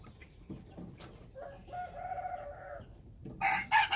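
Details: Over a noisy background of clatter and rustling, a wild chicken gives a softer, distant-sounding crow about a second long. A louder, sharper crow starts just at the end.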